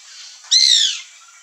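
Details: Free white woodpecker (Melanerpes candidus) among backyard fruit giving one loud, harsh, nasal call that slides slightly down in pitch, lasting about half a second, against a quiet high hiss.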